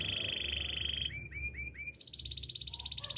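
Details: Russian canary song over a low background hum: a flat high trill, four short rising whistled slurs, then a fast high rolling trill.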